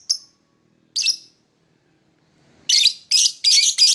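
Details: Lovebird chirping in the morning: two short, shrill, high notes a second apart, then a burst of four harsh, rapid chirps near the end.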